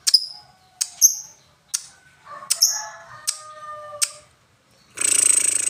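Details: Lovebird giving scattered sharp high chirps and short whistled notes with pauses between, ending in a brief dense burst of harsh high chatter.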